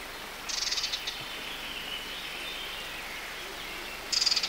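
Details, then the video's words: Sardinian warbler in the riverside thicket of the Matarraña, June 2011: two brief dry, rattling bursts, one near the start and one at the end, over soft steady background hiss. "Voces de Curruca mirlona"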